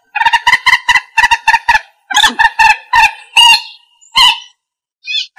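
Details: A common moorhen (Gallinula chloropus), a call used as a lure for bird trapping, gives a quick run of about ten nasal, clucking kek notes, then a few longer, harsher croaks separated by short pauses.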